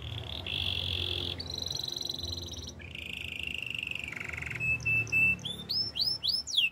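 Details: Canary training song of sustained trills that change pitch in stages, from a low buzzy roll to a thin high trill, ending with loud repeated upward-sweeping whistled notes; a faint low hum underneath.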